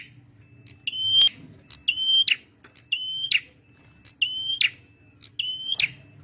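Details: Male red prinia (prenjak merah) singing persistently, a recording used as a lure and for training birds: short high buzzy note, then a steady whistle swelling slightly and ending in a harsh burst, repeated about once a second.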